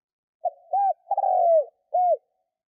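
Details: Spotted dove kept as a lure to draw in wild doves, giving one full cooing phrase: a brief soft note, an arched coo, a long buzzy rolling coo sliding downward, then a last rounded coo. No other sounds.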